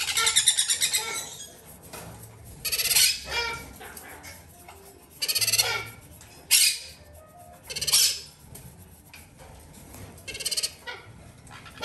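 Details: Hand-fed captive sun conure chicks, two female and one male, bred domestically: a pulsed buzzy opening, then harsh, grating squawks repeated irregularly every one to two seconds.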